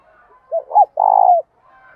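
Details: Spotted dove lure bird calling to draw in wild doves: two short arched notes followed by one long, level, pulsing coo, with faint quieter tones behind.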